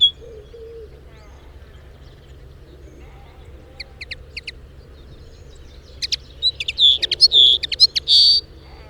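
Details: A lesser redpoll (Acanthis cabaret), recorded in the wild, gives a few high, dry chips, then a quick burst of buzzy, rattling trills and twittering notes near the end, over a low steady hum.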